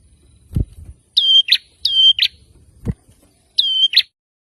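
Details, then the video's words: Ashy tailorbird calling in agitation after a lure sound: three bright whistled notes, each ending in a buzzy burst, with dull thumps between them. "Burung Prenjak Kepala Merah Langsung Ribut‼️ Setelah Dengar Suara Ini Auto Nyaut"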